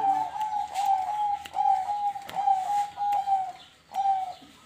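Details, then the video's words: Zebra dove singing when its name is called: a series of clear, level whistled coos, each held briefly, repeated over a few seconds with faint background clicks and noise. "Perkutut gacor Untuk pancingan"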